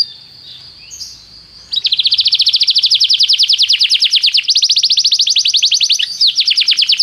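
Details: Canary song used for training: a brief high whistle, then an extended very fast trill of evenly repeated notes, rolling and slightly buzzy, with a short break before it resumes.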